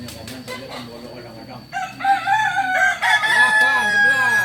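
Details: Crowing from a Kukuak Balenggek chicken of Solok stock: soft sounds, then a strong harmonic crow from about the midpoint, held and wavering, with several undulating syllables toward the close.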